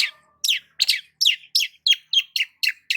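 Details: Long-tailed shrike sunbathing in the morning, delivering a rapid run of about ten sharp down-slurred chirps, roughly three each second, fairly even in spacing.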